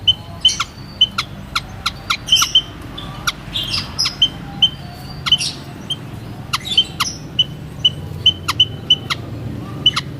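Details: White-headed munia calling: short, thin, high piping notes repeated in quick pairs and runs, mixed with sharp clicking snaps, over a soft low background hum.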